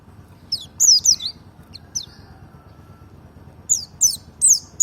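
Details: Merapi-type white-eye in double ngalas song style, used to provoke birds into singing: scattered high, thin whistled notes that slide downward, in two short bursts separated by a quieter gap with faint low hum.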